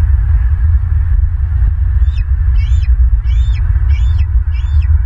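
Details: Bald eagle at a nest in Southwest Florida, recorded by a live nest camera on 22 March 2023 at 18:29; a series of five high, thin, chittering calls about every half second over a loud low hum.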